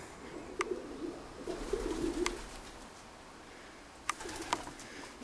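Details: Three or four pigeons living inside an old village dovecote in the Cotswolds, Gloucestershire, murmur soft, low cooing phrases, broken by a few sharp clicks and knocks.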